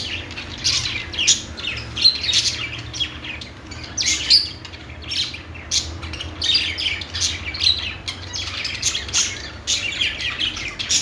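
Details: Singing budgerigars: a busy mix of chirps, short squawks and buzzy trills, pulsing in loud bursts with brief quieter gaps, over a low background hum.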